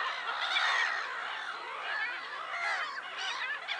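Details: Black-headed gull flock, Lake Sarymsak, Pavlodar region, Kazakhstan, April 10, 2011: a steady wash of scratchy, overlapping kek and kwarr cries, slightly more distant-sounding, swelling and fading in waves.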